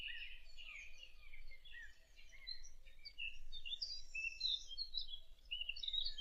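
A fig bird gives a fast, rambling warble of bright, varied chirps and twitters, high and continuous for several seconds, over a low background hum.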